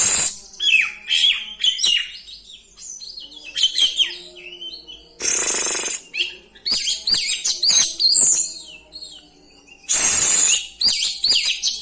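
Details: Oriental magpie-robin pouring out varied fill-in phrases to stir up other magpie-robins: quick chattering and whistled notes in fast bursts, interrupted twice by loud, roughly one-second rasping hisses.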